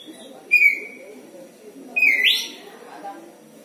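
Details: Home-kept Oriental magpie-robin, a pet songbird, making an odd sound: a short flat whistle, then after a pause a second whistle that sweeps sharply upward into a buzzy rising slur, with faint room noise behind.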